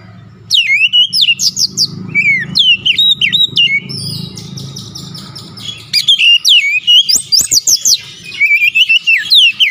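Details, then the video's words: Oriental magpie-robin (kacer) pouring out its repertoire (isian) in a dense, nearly continuous stream of sharp slurred whistles and chips, many notes dropping steeply, repeated in quick bursts with a low rumble in the background for the first six seconds. "KACER NGOTOT BONGKAR ISIAN"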